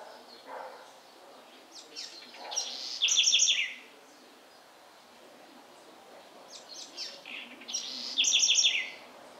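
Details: House wren singing in the Sertão of Bahia, Brazil: two loud, rapid bursts of high chattering and trilled notes about five seconds apart, each led by softer scattered chirps, over faint rural background noise.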